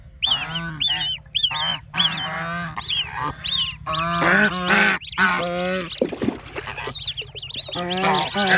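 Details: Young ducks splashing about in water: a busy run of high, looping peeps and coarse, nasal, honking calls, closely spaced and irregular, with a low continuous hum beneath.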